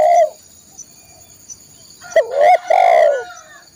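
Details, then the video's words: Spotted dove song for training caged birds: a low, hollow cooing note, then after a pause a rising two-part coo followed by a longer drawn-out coo, with a steady high electronic whine behind. "masteran burung tekukur/derkuku"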